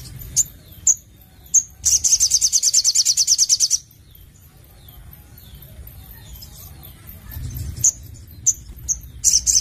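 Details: Sogon, the crimson sunbird, in lively 'nembak' song: single high piercing chips, a rapid trill of about two seconds of very high repeated notes, then a quiet gap and more spaced sharp chips.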